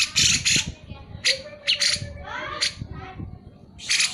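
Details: Grey-cheeked bulbul in full song, played to prompt lazy birds of its kind to sing: loud harsh squawking bursts alternate with short whistled and rising slurred notes, in uneven phrases over about four seconds.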